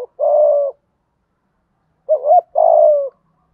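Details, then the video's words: Spotted dove coo played to make other doves start cooing fast: a long, steady, gently falling note, then after a pause a complete phrase of a warbled double note followed by a drawn-out, level coo. "tiếng cu gáy kích bổi nhanh nổi hiệu quả"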